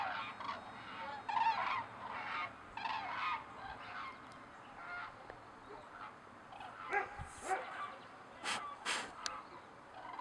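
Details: Several cranes give loud, rolling, trumpeting calls in repeated bursts throughout, with some calls overlapping, above a low constant hiss.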